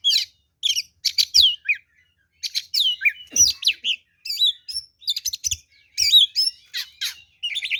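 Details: Aggressive kacer song of an oriental magpie-robin, played as a lure to excite other birds into answering: dense unbroken run of sharp chirps, slurred whistles and mimicked notes, varied and fast.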